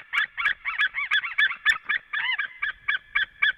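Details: White-tailed eagle pair at a nest in Latvia, both calling on the male's return, midday, 23 February 2017; excited, overlapping yelps and chattering notes, some slurred and wavering, in a fast jumbled series.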